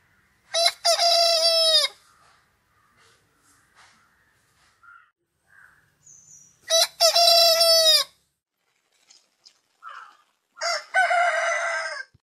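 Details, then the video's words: Rooster giving three crows, each a bright, harmonic, stuttering phrase. Faint short chirps and clucks are heard quietly in the gaps between them. "Rooster crowing"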